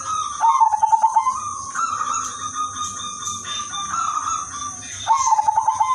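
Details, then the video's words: Zebra dove of udanmas silver type giving a lively song used to attract other doves: a fast string of stuttering coos, long sustained mid-pitched notes, then another stuttering run, all over a persistent high hiss. "perkutut udanmas silver gacor irama merdu jadi pancingan semua perkutut"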